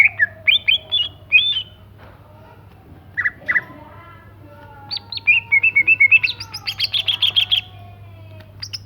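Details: Greater green leafbird singing vigorously: varied whistled and chattering phrases, some short bursts, then a long rapid series of sharp, buzzy repeated notes near the end, over a steady low electrical hum.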